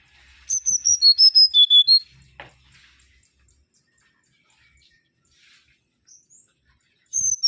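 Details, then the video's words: Energetic song of a mangrove whistler (Pachycephala grisola). A quick run of pure whistles descends in steps and closes on a slightly rising note. After a quiet pause, a soft click and faint high notes, a new phrase begins at the end. "Kancilan Bakau Gacor"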